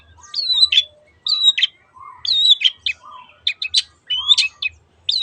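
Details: Long-tailed shrike singing as a lure for other birds: spaced phrases of clear whistled slurs, some rising then falling, each ending in a sharp scratchy note, with brief silences between.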